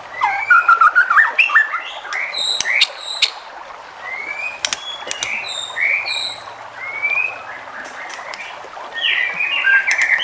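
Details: White-rumped shama singing to stir other shamas into song: loose sequence of short whistled slurs and upswept notes mixed with clicks, some passages softer, over faint background hiss.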